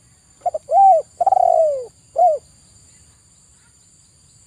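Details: Low cooing of a zebra dove, meant as therapy for stressed birds that will not sing: two soft pips, an arched coo, a long drawn falling coo, then one short rounded coo before silence.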